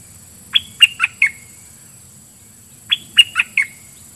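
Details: Red-whiskered bulbul decoy singing at wild birds, repeating a crisp four-note whistled phrase twice, the notes quick and liquid with a falling tail, a couple of seconds apart.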